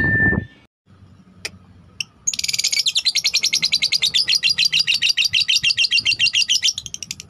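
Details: Blue cobalt lovebird: after a brief noisy start and short pause, a long run of rapid, high, scratchy chirps repeated about three times a second with even rhythm.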